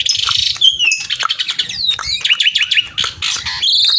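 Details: Javan pied starling singing energetically to call a rival, pouring out a dense jumble of buzzy rattles, quick slurred whistles and scratchy chatter, ending on a sustained harsh buzzy note.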